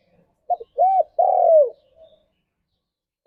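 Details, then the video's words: Spotted dove song for luring and stimulating other doves: a clipped double note, an arched coo, then a long slurred falling coo, a faint trailing note, and the start of another phrase at the end. "Burung Tekukur Gacor Suara - Merdu"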